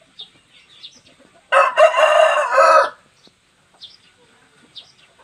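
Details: Tall, large Wido-type Bangkok chicken, kept for breeding stock, gives a single loud, harsh crow of about one and a half seconds. It is rich in harmonics and steady through its length. Faint high chirps of small birds come before and after.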